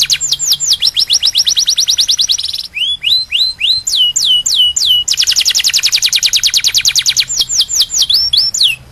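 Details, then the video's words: Canary song meant to teach young canaries: fast repeated high trills alternating with slower downward-sweeping whistled notes, loud and sustained, the trill tours lasting two to three seconds each, faint low hum beneath. "Kenari Ini Untuk Memaster Burung Kenari Bahan Agar Gacor"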